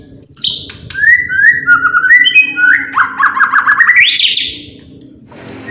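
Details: White-rumped shama song used to draw other birds into singing: high sharp notes, whistled phrases stepping upward, then a rapid rising rattling trill before fading.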